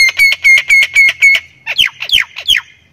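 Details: Thai-variety Javan myna in full voice: six evenly spaced harsh, nasal squawks with a ringing tone, then four rapid downward-swept scratchy notes, all loud and close.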